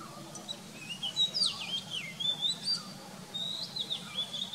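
Oriental magpie-robin singing varied, sweet whistled phrases that slur up and down, a few notes each, with a faint low background hum.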